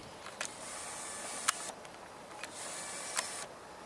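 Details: Indoor mechanical whirring broken by sharp clicks and short motor bursts, like a printer or camera mechanism, and no animal sound.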